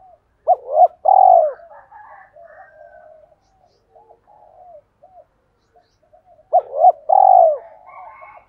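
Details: A spotted dove calls to two hens with fight-inciting coos, used to excite decoy birds: two phrases of quick hoots and a long rolling purr, separated by several seconds of soft murmuring.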